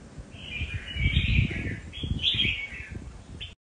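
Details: Red-whiskered bulbul giving a short nước Hậu style warbled phrase, two quick bursts of bright notes, partly masked by heavy low rumbling noise.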